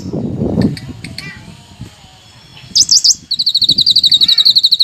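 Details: Bulbul, known locally as cucak kinoi, singing loudly: after brief human speech, a sharp high burst, then a rapid train of clear, evenly spaced high notes repeated about four times per second.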